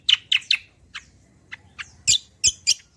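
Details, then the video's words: Kecial kombo, its lively song used as a lure and song model for other birds: a quick triple of bright chirps, thinner spaced notes, then loud sharp high calls in a brisk sequence. "BURUNG KECIAL KOMBO CUCAK KOMBO ROLL TEMBAK GACOR || UNTUK PANCINGAN BUNYI BURUNG BAHAN MANTAP"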